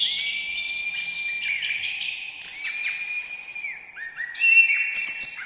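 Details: Sweet, drawn-out whistles from an orange-headed thrush, mostly at a steady middle pitch, punctuated by bright high bursts and quick downward flicks, nearly two phrases a second.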